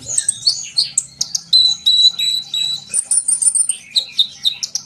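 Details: Sunbird song used to get young birds singing: a busy mix of high chirps, long thin level whistles and buzzy twitters, pouring out almost continuously.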